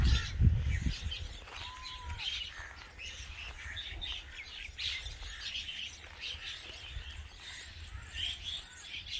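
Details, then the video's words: A young (baby) common myna gives harsh, scratchy chirps about twice a second, with a brief rising whistle early on and thumping handling noise at the start. "Little Mynah Baby Bird Making Noises"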